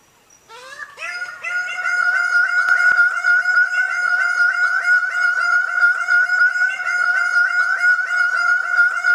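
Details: Greater bird-of-paradise in Indonesia calling in a long, fast, unbroken run of loud nasal honks on one steady pitch, roughly three per second for about eight seconds, after a brief rising start, with no other clear sounds.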